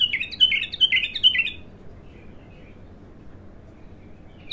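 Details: Untrained abtar bulbul singing for the first time: a brisk series of sweet whistled notes falling in pitch, roughly two per second for under two seconds, followed by quiet.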